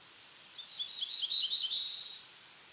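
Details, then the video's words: One black-throated blue warbler phrase from eastern North America: lazy, high buzzy notes in quick succession, then a loud, drawn-out buzz that rises in pitch before stopping. Soft background hiss. "Black-throated Blue Warbler Song"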